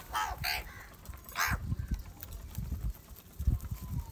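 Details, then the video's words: Angry house crows squabble over rice: a few short, hoarse caws at the start, then low thuds and scuffling noise. "Angry kauwa ki awaaz - Different kauwa ki awaz | Crow bird unity anger and sound for Rice Food"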